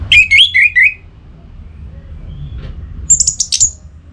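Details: Orange-headed thrush, aroused and singing to challenge a rival, gives a short run of four slurred whistled notes, pauses, then a cluster of very high, thin, sharp notes.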